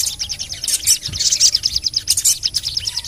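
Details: Sogon (crimson sunbird) call for coaxing lazy birds to sing: brisk, evenly spaced high chirps several per second, with denser squeaky bursts interspersed.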